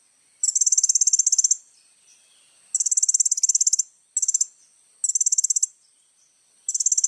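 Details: Little spiderhunter delivering gacor full-isian song for training juvenile birds: bursts of fast, high, rattling trills about one second long, separated by short pauses, one burst much shorter than the rest.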